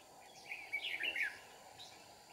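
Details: At a trapping site in Kim Bôi, Hòa Bình, Vietnam, a Red-whiskered bulbul gives one quick, lively burst of tumbling whistled notes lasting under a second, against a constant faint background hum.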